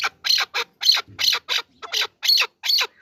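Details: A partridge, apparently an excited chukar, gives harsh, raspy squawks in quick bursts, about eight in three seconds, loud and high-pitched against a quiet background.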